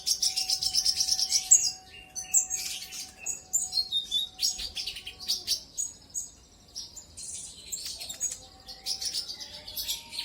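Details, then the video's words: Brown-throated sunbird lure song meant to trigger rivals into full song: high, buzzy chattering phrases and sharp chirps, fast and busy at first, then sparser, over a constant thin hum. "Pancingan burung konin kolibri ninja auto gacor"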